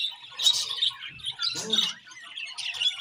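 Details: Pet budgerigars in the morning give three short bursts of harsh squawky chirps about a second apart, with softer high warbling between them.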